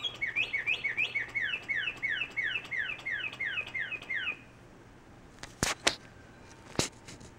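A cardinal gives a fast run of about fourteen clear, downslurred whistles, roughly three per second, then falls silent; a few sharp knocks follow.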